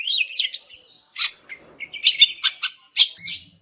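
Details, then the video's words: Female greater green leafbird, used to provoke silent males into singing: a twittering, warbled phrase rising in pitch, then a series of abrupt, loud, sharp chip notes. "BURUNG CUCAK IJO JANTAN MACET BAKAL NYAUT GACOR DENGAR INI"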